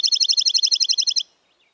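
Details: Dark-eyed junco chatter sounding as a fast, ringing trill of about fifteen sharp notes over just over a second, followed by a faint thin note.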